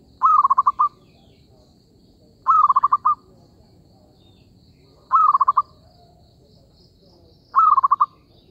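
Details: Zebra dove call used as a lure for trapping: rolling, trilled cooing phrases near one pitch, each about half a second, repeated four times roughly every two and a half seconds over a quiet low background hum.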